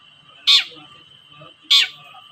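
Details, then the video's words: Long-tailed shrike giving its toet-toet call, used as a lure to provoke reluctant shrikes into singing: two loud, harsh, clipped notes about a second apart over a steady high background tone. "TOET-TOET CENDET GACOR DONGKAK EMOSI CENDET SUSAH BUNYI || PANCINGAN BURUNG CENDET"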